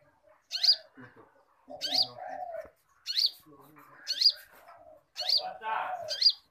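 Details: Konin in full song for cage-bird training: piercing upswept whistled notes about once a second, each followed by a lower, slurred chattering phrase.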